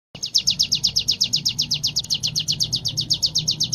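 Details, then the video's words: Sunda warbler (ciblek gunung) in training, singing in the rapid 'ngebren' style: a fast, even series of high sweeping notes, about four per second, repeated without a break, with a faint low hum underneath. "burung ciblek gunung gacor latihan ngebren"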